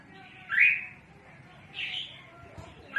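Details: Red-whiskered bulbul used for trapping birds, calling a lot: a rising, somewhat rough note, a softer reply a second later, and the start of another note at the end.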